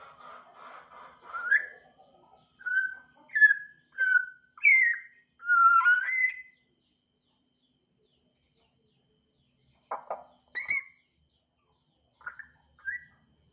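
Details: African grey parrot starting to chirp: a run of about eight clear, mid-pitched whistled notes, some rising and some falling, over six seconds, then a silence and a few shorter whistles and chirps.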